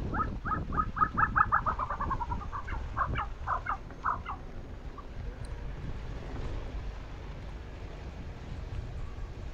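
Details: In Ladakh, a Tibetan snowcock bathing in snow gives a rapid cackling volley of about a dozen notes that speeds up and fades. A few looser notes follow, then only low wind rumble remains.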